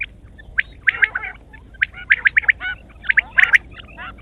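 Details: Quail chattering in clusters of short, scratchy notes, three or four bunched groups with brief quiet gaps between them.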